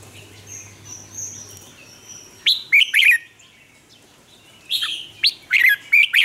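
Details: Red-whiskered bulbul from Vietnam singing as a lure to get other caged birds singing. After a faint thin whistle, two lively bursts of rapid warbled notes, each rising then dropping, over a soft background hiss.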